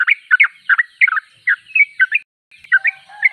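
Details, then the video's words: Yellow-vented bulbul (trucuk) in full chattering song: quick bubbly two- and three-note phrases, chirpy and slurred, repeated about every third of a second, with a brief pause before the phrases resume. "Trucuk termewah suaranya paling di cari"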